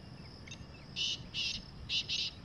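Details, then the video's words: Black francolin, wild, calling in jungle with one rasping four-note phrase, the notes loud, harsh and evenly clipped, the last two run close together; quiet surroundings otherwise. "Kalay Teetar Ki Awaz | Wild Black Francolin Voice"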